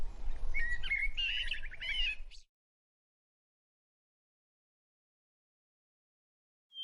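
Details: Monk parakeets (Quaker parrots) preening each other; one gives a quick burst of harsh, buzzy chirps and raspy chatter for about two seconds over a low rumble, then silence.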